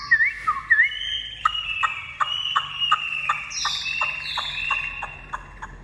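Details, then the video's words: Tame caged Chinese hwamei opening with two quick whistled upslurs, then a steady train of short sharp notes repeated roughly every third of a second under a sustained whistled tone, with higher sliding whistles mixed in. "hót tốt | Họat Họa Mi"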